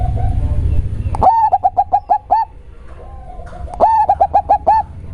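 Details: Local zebra dove whose voice is described as steady and very deep. A sharp note opens each of two bursts of quick, bouncy, hollow coos, about seven notes per burst. A low rumble fills the background.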